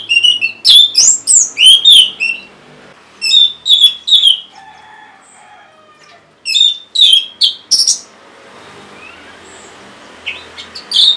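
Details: Orange-headed thrush song used to prompt caged birds that are silent or reluctant to sing: bursts of loud, high, varied whistled and chattering notes in quick clusters, separated by pauses with a faint lower warble.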